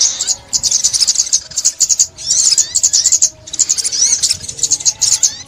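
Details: Sunbird song recorded in 2021: a fast, thin, high-pitched run of sharp chirps and short trills in bursts of about a second, broken by brief pauses, with sweeping notes between phrases.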